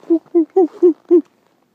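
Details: Great horned owls, a male and female pair answering a person's calls: a run of five short, deep, evenly spaced hoots about a quarter second apart, then silence.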